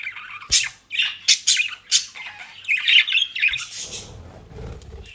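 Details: Pet budgerigars from the Den Haag region, Netherlands, enjoying dry leaves and grass; a run of sharp, evenly spaced squawks followed by mixed warbling chatter, then rustling noise.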